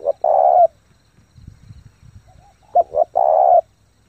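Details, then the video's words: Intense rapid cooing by a spotted dove kept as a lure to stimulate newly caught birds: two phrases, each with short sharp lead notes ending in a long even coo, separated by low background rumbling. "chim cu gáy thúc gù tốc độ căng lửa kích mồi tập bổi cực mạnh"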